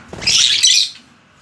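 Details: Budgerigar at home giving one dense, loud burst of grating warbled chatter lasting under a second, then quiet.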